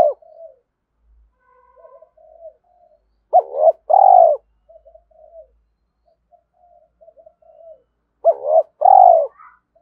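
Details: Spotted dove cooing in the 'thổ' voice style, used to stir a decoy dove: two loud, low, hollow coos near the middle and again at the end, with soft, faint murmuring notes in between.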